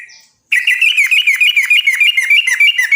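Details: Yellow-vented bulbul pouring out a fast, rolling song used as a lure for other bulbuls. Rapid chattering notes run steadily for over two seconds with a bright, slightly harsh edge, after a brief quiet start.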